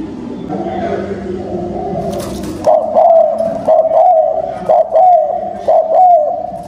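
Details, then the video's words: Spotted dove kept as a decoy to excite wild doves. Muffled rumbling and a brief clatter come first, then a quick run of mellow, repeated coos about once a second. "Tiếng chim cu gáy kích bổi hiệu quả cao | Bổi Nghe là gáy, thúc gù tốc độ"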